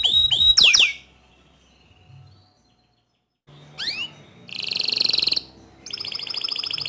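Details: Canary of bottle-green colour, loud singer used as a model for young and novice canaries: quick downward-sweeping whistles, a long silent gap, then rising-falling slurs, a harsh buzzy burst and a steady high rattling trill.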